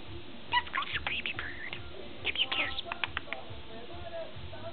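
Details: A ten-month-old pet budgerigar chattering: short scratchy chirps and warbled notes in brief bursts with pauses, against a low background hum.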